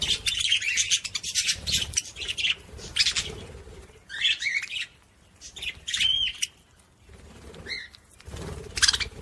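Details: Budgerigar song used to stimulate other budgies: dense scratchy warbling chatter with clicks and short bright whistles, delivered in bursts of one to three seconds separated by brief quiet gaps.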